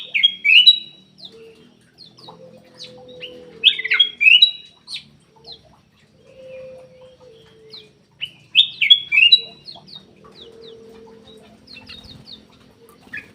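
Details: Black-capped bulbul song played as a lure to get reluctant caged birds singing: bright, bubbling whistled phrases, rising then falling, in bursts about every four seconds, with soft low background warbling between them.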